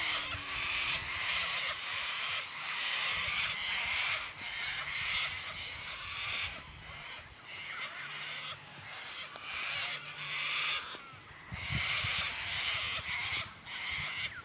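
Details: Many sulphur-crested cockatoos calling together in a paddock in Victoria, Australia: raucous, scratchy screams in repeated surging waves every second or two, with a faint low drone underneath.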